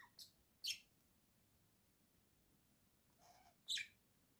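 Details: Indoor pet budgerigars from a home flock, October 2024, singing: sharp high chirps in pairs, a quick pair at the start, then a lower, softer call followed by another bright, piercing chirp after a quiet gap.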